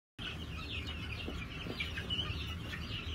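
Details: New Hampshire chickens on a farm, 22 March 2021: a dense chorus of many overlapping short, high chirping and clucking calls, with a steady low rumble underneath throughout.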